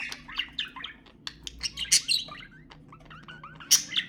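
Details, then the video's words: Budgerigar chirps used to encourage mating: short rising and falling chirps, several birds overlapping, with a few loud sharp squeaks and clicks. "تحفيز البادجي على التزاوج أقوى أصوات طيور البادجي للتحفيز"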